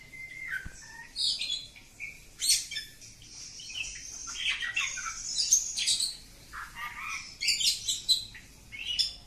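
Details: Oriental magpie-robin (kacer kampung) in long continuous 'ngacor' singing: a dense, unbroken run of varied high whistles, scratchy chatters and sharp squawky notes, rising and falling, with bursts of louder phrases about every second or two.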